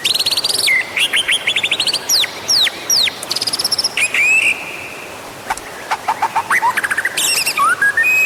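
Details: White-rumped shama song used to encourage singing: dense, high buzzy trills, sharp upward sweeps and fast repeated notes, with short pauses and a rising whistle near the end.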